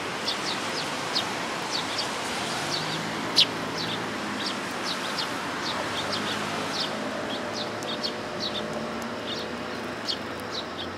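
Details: Willow tits coming to be fed at a Tenmangu shrine on 1 September 2022; thin, high, short chirps scattered irregularly through the clip, one sharper louder note near the middle, over a steady low background hiss.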